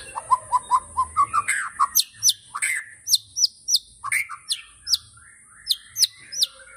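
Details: White-rumped shama (murai batu) singing a tembakan: a run of low, even, repeated notes, then a string of loud, high, down-curving whip notes, each given about every half second with softer chatter between.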